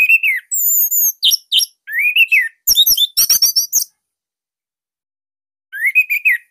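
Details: Bali orange-headed thrush in full song, used as a master recording to draw other birds of its kind into singing; unique, tight, loud style. Loud rising-and-falling whistled slurs and thin high whistles, a dense burst of harsh chirps, a pause, then another whistled phrase.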